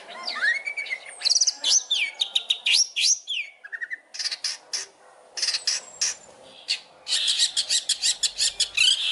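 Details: Long-tailed shrike master song for training other birds, with rich fill phrases: rising whistles, chattering clicks and broad rasping bursts in quick alternation, ending in a dense run of rapid notes.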